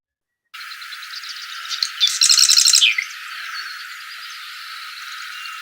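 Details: Marsh wren (Cistothorus palustris) song: a single rapid, buzzy, rattling trill lasting about a second, set against a steady background hiss.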